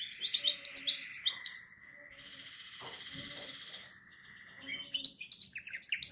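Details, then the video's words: Canary song meant for training other canaries: bright chirped phrases of quick repeated notes, then a quieter buzzy rolling trill for about two seconds, before the sharp chirping phrases resume at the end. "canary singing"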